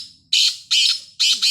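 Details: Black francolin calling: harsh, grating, high-pitched notes in three quick bursts, each about a third of a second, with near-silence between.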